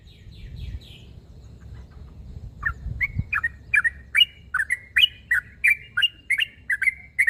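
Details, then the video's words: Yellow-vented bulbul calling out to a rival. A few thin high notes open, then after a pause a brisk series of chirpy, gurgling notes repeats about three times a second over a low background hum. "Suara burung trucuk narung memangil lawan.bikin nyaut semua burung trucuk"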